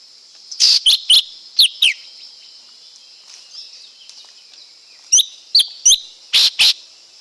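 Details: Lesser green leafbird song of loud, slurred whistled notes in clusters of two to four, some harsher and broader, separated by a pause, over a steady high-pitched hiss.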